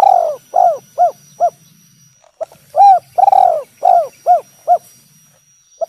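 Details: Spotted dove in the three-note "kuk 3" style used for luring and prompting other doves to call: low, arched coo notes in quick groups of about four, pausing, then repeating, with a faint steady high tone behind.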